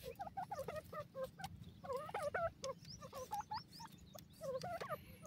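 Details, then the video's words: Grey francolin, known in Pakistan as Dakhni teetar, calling at home: short hooked notes that bend upward, given in quick clusters with overlapping voices and a steady low hum underneath. "pk dakhni teetar ke awaaz, pk grey francolin bird sound"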